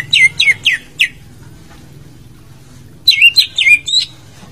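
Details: Greater green leafbird song, a lure for a silent bird. Four quick, down-slurred whistles are followed by a two-second pause, then a second cluster of five looping whistled notes, with faint low hum beneath.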